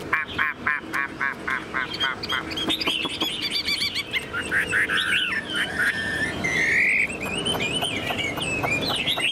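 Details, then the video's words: Caged Chinese hwamei, tame and singing with tail fanned: a series of evenly spaced pulsed notes opens, then the song turns into fast varied whistles, buzzy trills and a bright sustained high phrase. "Họa mi thuần sách lồng hót, đuôi xòe, ngũ trường hót cao cầu"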